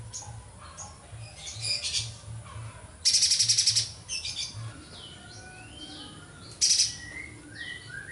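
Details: Vigorously singing streaked spiderhunter delivering two sharp, high rattling bursts amid a busy background of other chirps, downslurred whistles and a low rhythmic thumping.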